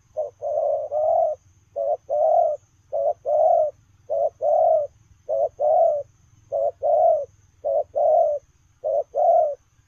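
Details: Spotted dove running while delivering 'lèo rồng' coos: eight evenly spaced two-part phrases, a clipped note then a drawn-out rounded coo, roughly every 1.2 seconds, with faint low humming behind.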